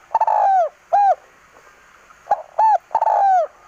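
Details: Spotted dove from Aceh, a strong singer, uttering a long sliding coo and a short arched note, a pause, then arched notes and another long descending coo, with light background hum.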